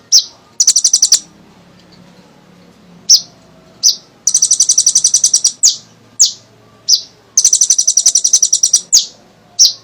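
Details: Kolibri ninja sunbird singing actively, played to coax other birds into song. Short high trill, a pause, then a run of sharp downslurred chips and two long buzzy rattles of rapid repeated notes.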